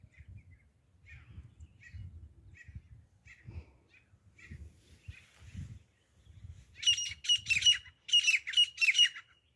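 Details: Desi teeter, the grey francolin, in hunting sounds: low rumbling background at first, then two loud bursts of quick, grating high-pitched notes near the end.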